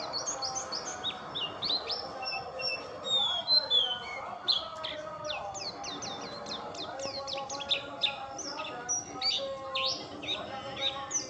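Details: Song of an oriental white-eye, a long chattering medley of high twittering notes, quick upslurred whistles and buzzy trills, delivered continuously with a few louder bursts, some faint low murmuring behind.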